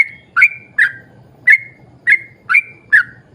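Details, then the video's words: Yellow-vented bulbul whistling fluty, slightly descending notes spaced about half a second apart, meant to prompt other bulbuls to sing; a quiet low-pitched murmur runs underneath. "trucukan gacor ROPEL PANJANG buat pancingan trucukan agar bunyi"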